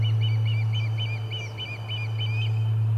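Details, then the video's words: Osprey at the Charlo nest, 30 July 2020, during a fish-delivery commotion: rapid paired, bright whistled chirps repeated steadily over about three seconds, with a low hum in the background. "Lots of Commotion and a Fish Delivery - Charlo Osprey Nest"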